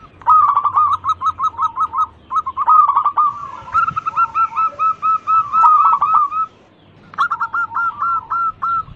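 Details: Local zebra dove singing persistently, a lure recording meant to entice other birds into song: rapid strings of soft, mellow coo notes run together in trilled bursts, with a brief silence before a final short run.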